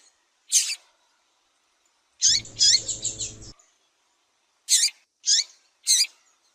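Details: Female double-collared seedeater calling to excite a male, giving sharp high chips spaced about half a second to a second apart, with one short pulsed trill in the middle of the series.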